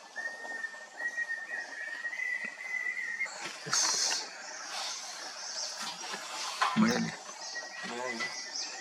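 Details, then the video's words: A Banded Bay Cuckoo in well-wooded habitat at Tilari Wildlife Sanctuary, Maharashtra, India, in March 2022 gives a thin, high whistle climbing in slight steps for about three seconds. Rustling and knocking follow, then a short whistle returns near the end. "Banded Bay Cuckoo"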